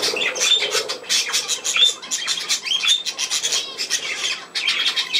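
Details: Pet budgerigars at play, filmed 27 August 2024: dense, rapid chirps and scratchy warbling squawks in quick bursts, with several short whistled upslurs among them.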